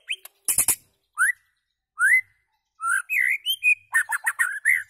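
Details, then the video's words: White-rumped shama singing loud, opening with sharp clicks, then separate rising whistles and a varied jumble of fluty warbled notes building toward the end. "White-rumped shama singing loud"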